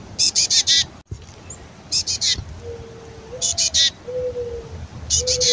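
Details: Black-capped chickadee female begging in a raspy fledgling voice before nesting, fed by the male chickadee. Short bursts of three or four grating buzzy notes repeat steadily, with a soft low whistled tone between them.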